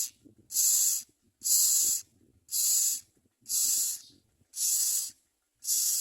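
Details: Common mynas feeding their young: loud raspy hiss-like calls in regular bursts of roughly half a second, about one per second, with soft rustling and low murmurs in the gaps.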